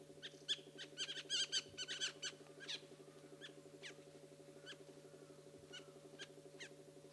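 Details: Black bulbul calling: a dense burst of squeaky, chattering notes early on, then scattered thin, sharp chips spaced irregularly and fading, with a constant low droning hum underneath.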